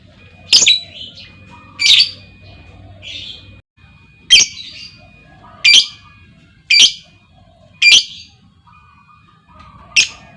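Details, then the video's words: Female lovebird calling, prompting others to trill at length: loud piercing squawks repeated roughly every one to one and a half seconds, each short and harsh. "SUARA PANCING LOVEBIRD BETINA, LOVEBIRD LAIN LANGSUNG NGEKEK PANJANG Dengan Suara Lovebird Memanggil"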